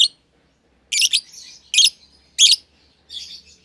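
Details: Lovebird pair in a cage, one albino with red eyes and one euwing green opaline, young and never bred; loud harsh chirps in separate bursts about every half second to second, with soft twitters between.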